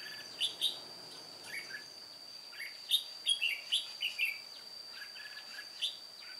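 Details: Old white-cheeked red-whiskered bulbul used as a trapping decoy, singing alone on 1 July 2018. It gives clear, sharp chirped phrases and descending slurred notes clustered mid-clip, with a constant thin high tone behind.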